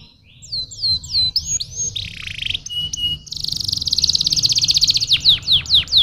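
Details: Stimulating song of a canary, opening with looping whistled slurs and a buzzy dip, then a dense, rapid high trill that swells louder before breaking into several sharp descending sweeps.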